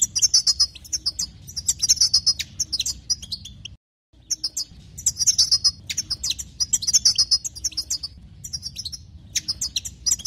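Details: European goldfinch song used to excite other goldfinches: rapid bursts of high, tinkling chirps and trills, notes stacked high and dense, with one brief silent break near four seconds.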